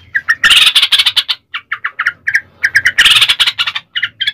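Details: Sooty-headed bulbul song used as a lure for other bulbuls: quick bubbly chirps alternating with two loud, harsh, noisy chattering bursts.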